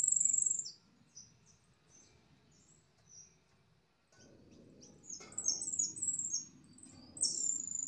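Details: Yellow goldfinch in long song: bright, very high chirps and trills come in scattered bursts, loudest at the start and after the midpoint, with a faint low rumble underneath.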